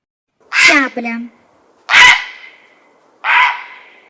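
Three harsh, hoarse croaks about a second apart, rough and grating like a heron's squawk; nothing else is heard.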